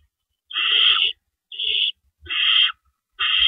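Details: During a night visit to an owl nest on April 4, 2012, as rabbits are brought in, four loud, raspy hisses of varying length sound at intervals of about a second, with faint low thumps.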